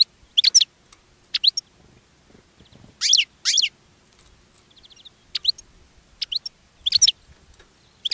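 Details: Goldfinches around a caged singer, which is attracting others: short sharp high twittering bursts separated by pauses, with faint low background noise.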